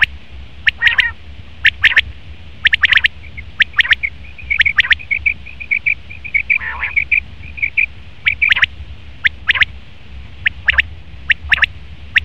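A male common quail gives sharp, clipped notes in quick groups of two or three, about once a second, with a rapid chattering run midway and low background hum.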